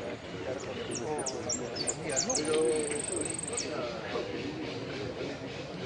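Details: Hooded siskin placing fifth in the 'amarillo sin cierre' song class at a singing competition in Pirán, 15-01-17: high thin whistled notes and sharp chips, then a long even buzzy trill, over steady crowd chatter.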